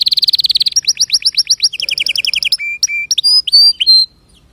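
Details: Canary song with a rapid high trill flowing into repeated downward-slurred notes, then spaced clear whistles and rising notes before ending abruptly.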